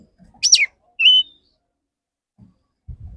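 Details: Male Oriental magpie-robin singing to court a female: a loud descending whistled sweep followed by a short clear level whistle, then quiet with faint low thumps.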